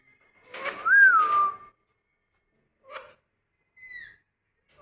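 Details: Indian ringneck parakeet kept indoors as a pet, described as angry: a rough squawk carrying a clear whistled tone that rises then slides down, followed by short scratchy bursts and a brief high downslurred whistle a few seconds apart.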